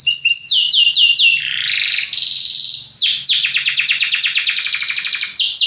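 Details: Belgian canary singing a powerful, lively song: rapid descending whistled trills repeated in fast series, a lower buzzy passage, then long rattling trills of quick notes, continuous and loud.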